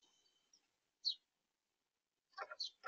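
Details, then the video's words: House sparrow perched near a backyard smart feeder gives a single sharp high chirp, then a quick burst of three or four harsh, buzzy chirps; a faint thin whistle sounds at the start. "House Sparrow Singing"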